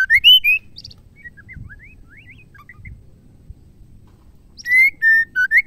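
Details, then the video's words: Female white-rumped shama singing, a recording meant to stimulate males to sing. Loud clear whistled notes rising and falling open and close the passage, with softer varied twittering notes in between and faint low background rumble. "MURAI BETINA GACOR..PENGGACOR MURAI BATU TERAMPUH"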